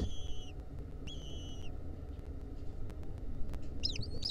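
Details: Two level, slightly falling whistled calls from wild lesser kestrel nestlings, recorded in 2023 while a centipede clung to them, followed by quiet and a few short chirpy notes near the end.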